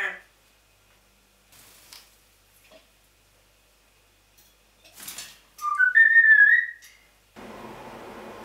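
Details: Pet African grey parrot making noises indoors: after quiet clicks, a loud wavering whistle climbing in steps, then a steady low hum.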